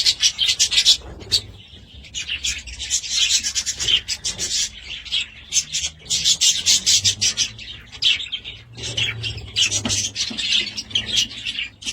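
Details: Steady scratchy chatter from budgerigars: grating, buzzy notes pile on one another in uneven bursts, with short gaps, for the whole stretch.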